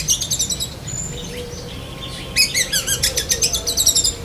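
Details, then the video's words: Black-breasted White-rumped shama, cotton-wad style, lovebird mimicry: fast rattling series of bright harmonic chirps, a pause of softer notes, then a dense repeated staccato chatter. "Kacer DAHIT besetan kapas tembak sambung lovebird"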